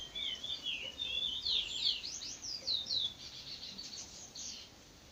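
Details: Chestnut-bellied seed finch (curió) singing at dawn in the trinca bico de veludo song style: a rapid run of clear whistled notes, sliding up and down at high pitch, then fading, with a faint background hiss.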